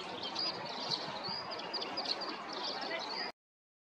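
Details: Eurasian skylark (Alauda arvensis) in spring, hovering high in the sky for a long time while singing a rapid, unbroken stream of high, thin chirps and trills over a steady background hiss.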